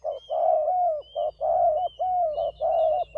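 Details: Two spotted doves used as decoys give full, throaty coos in short-long pairs, closely spaced and repeated about twice a second, with thin high chirps of other birds above.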